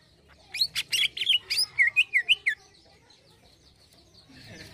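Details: An actively singing greater green leafbird delivers 'isian halus' soft fill-in song: a dense burst of sharp, ringing chips gives way to a run of quick, wavering whistled slurs, then near silence with faint background noise.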